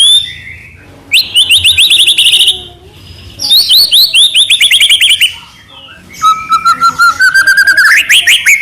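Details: Trotol-style singing from a White-rumped shama: high rapid trills of repeated notes in two long bursts, then a steady rising train of quick whistles building to a finish.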